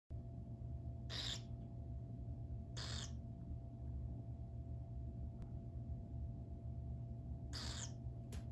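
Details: Two young captive burrowing owl hatchlings at an aviary: short, harsh, hissing rasps, each about a third of a second long, given four times at uneven intervals over a steady low indoor hum.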